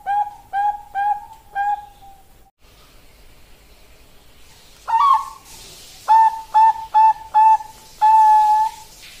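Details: Bangkok-type zebra dove, a female calling to a male, used as a lure and model song. Soft mellow cooing notes in two bursts: four clipped notes, a pause, then one rolling note and five evenly spaced short coos.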